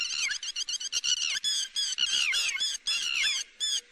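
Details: Lapwing calls used as a lure for bird netting: rapid runs of sharp, high harmonic notes, some sliding downward, in quick bursts with brief gaps.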